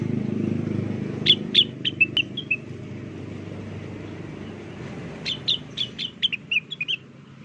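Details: Lure recording of a blue-winged leafbird in full song: two short phrases of quick, bright whistled notes that fall slightly in pitch, separated by a pause, with steady low background rumble.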